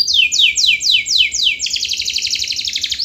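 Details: Canary in a long, continuous song used as a lure recording to provoke lazy canaries into singing: five quick high downward-sweeping whistles, then a fast, buzzy rattling trill held to the end.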